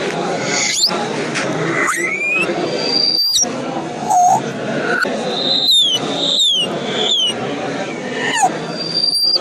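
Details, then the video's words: African grey parrot giving a string of sharp, high whistles, several sliding downward and some rising, with a short low squeak midway, over steady broadband background chatter and noise. "African grey parrot making noise and sounds"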